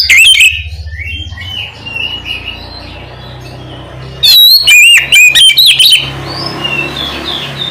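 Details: Oriental magpie-robin calling its companion, with a steady low hum throughout. A short loud whistle opens, faint chatter follows, then an intense burst of rapid, twisting whistles and harsh notes lasts about two seconds.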